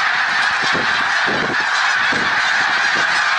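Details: Massed snow geese calling at Middle Creek Wildlife Refuge, Pennsylvania, March 1, 2021, an unbroken wall of overlapping honks from a huge flock, steady and loud throughout with no pauses.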